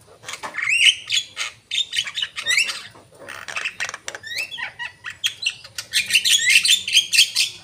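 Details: Javan myna singing actively, rising whistled notes and grating squawks tumbling together, ending in a dense, rapid chattering run.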